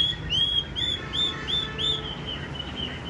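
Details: Yellow-legged, yellow-billed Chinese hwamei, a tame cage bird noted for its strong song, sings five clear arched whistles at even spacing, each swelling and falling, before trailing off quietly.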